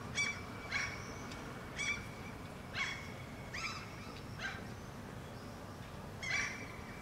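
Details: A pair of Common Gulls answering each other in Helsinki, Finland, June 2013; about eight brief, strained, harmonic calls in quick irregular bursts, with faint high drawn-out whistles in the gaps and constant low rumble.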